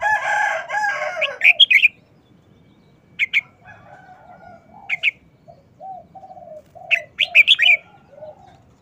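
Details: Red-whiskered bulbul singing a short, fast wild-style song: clipped whistled phrases of two to five notes, repeated four times, after a harsh crow at the start, with a series of soft low coos.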